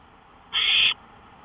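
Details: Owl on a porch in the early hours of 5 May 2013. A single rough, hissing screech lasting about 0.4 seconds, framed by quiet.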